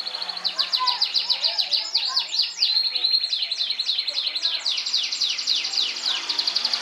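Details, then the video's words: Pet yellow canary singing while put outdoors in the sun, as it does every day until afternoon; a dense, continuous, high warble of fast sweeping chirps and rolling trills with no pauses. "KICAUAN BURUNG KENARI KUNING LUCU"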